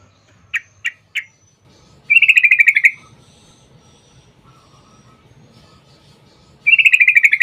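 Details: Sooty-headed bulbul song, used as a lure to provoke bulbuls into singing in a fighting style with long rapid trills: three sharp chirps, then two buzzy rattling trill bursts, each about a second long and evenly pulsed.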